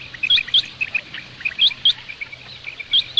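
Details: Common quail (batair, bedana) calling, used by hunters: sharp, high chirped notes, often in quick pairs, repeated about every second and a quarter, with softer chirps between and a faint low hum beneath.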